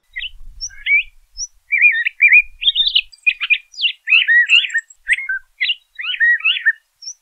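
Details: LeConte's thrasher pouring out a continuous varied song of rapid whistled and warbled phrases, some wavering and looping, others sharp and clipped, with only short gaps across seven seconds.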